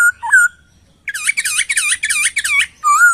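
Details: Laughingthrush tutor recording for songbird training: a short whistled note, a pause, then a dense burst of rapid, bubbling slurred notes and a final clear whistle.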